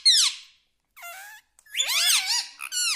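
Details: Pet talking parrot, known locally as tota, saying phrases such as mitthu mitthu: a bright falling squawk-like syllable, a pause, then a longer run of rising and falling nasal, harmonic speech-like notes.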